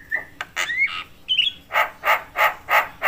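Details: Brief burst from a chatty Javan myna said to provoke other mynas: a few whistled and slurred notes, then five harsh squawks repeated about every third of a second.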